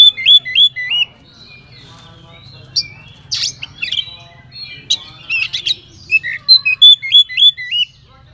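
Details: Oriental magpie-robin delivering a lively 'isian' filler song, used as a lure so other magpie-robins answer at once. Rapid looping whistled phrases with bursts of harsh squawks, about three notes a second, against a faint low hum.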